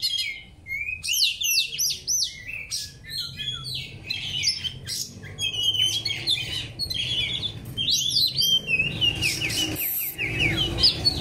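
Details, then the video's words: Oriental magpie-robin heard during training: loud, energetic song of sweeping whistles, chattering trills and harsh high notes, continuous throughout, with faint low background rumble. "Training Murai kampung & MKB"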